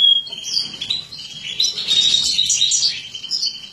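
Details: Captive-bred mutant European goldfinch female during feeding; a short whistle, then a continuous rapid high twittering chatter that swells in the middle and fades out.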